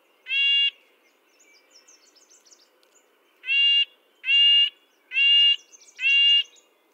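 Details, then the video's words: Red-breasted nuthatch calls, high-pitched and nasal like a tin trumpet. One call is followed by a pause with soft twittering, then four more evenly spaced nasal calls. The background is otherwise quiet. "Red-breasted nuthatch sounds, Sounds of the Canadian Nuthatch"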